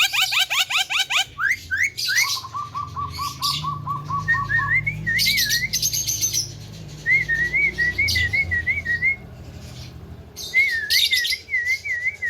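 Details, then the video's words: Tame Javan myna, said to be a talker with a full repertoire, gives quick falling chirps and then a steady train of short notes. Looping whistled phrases are broken by harsh, noisy bursts, with a low rumble in the background. "BURUNG JALAK KEBO JINAK PANDAI BICARA"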